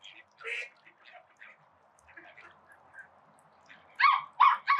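Call ducks give a few soft, scattered notes, then three loud, harsh, nasal quacks in quick succession at the end, over a steady hiss of spraying water.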